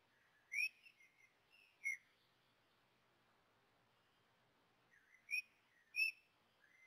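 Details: Common blackbird nestlings being fed at the nest in their first feedings: thin, high, wavering squeaks in two clusters a few seconds apart, with a quiet stretch between.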